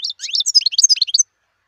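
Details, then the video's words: Wild European goldfinch pouring out a quick, high jumble of liquid twittering notes, sharply modulated chirps tumbling over each other for just over a second. "صوت الحسون البري"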